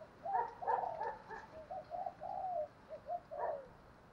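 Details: Distant spotted dove calling, probably to provoke a fight. A run of soft, rounded coos is heard over steady background hiss.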